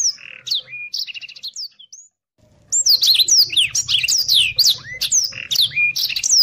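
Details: A Blackthroat sings rapid whistled slurs and trilled rattles, then breaks off in a pause of about a second before resuming with a dense, energetic stream of rising and falling whistles and chips, kept as contest-bird training song.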